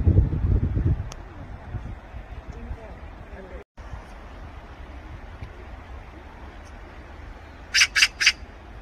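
A magpie gives three quick, harsh, rattling chacks near the end, after a low rumble of wind or handling and a long quiet stretch.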